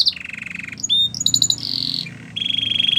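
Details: Canary training song with varied phrases: buzzy trills, a pure high whistle, pulsed notes, and a closing rattling roll, with light background noise.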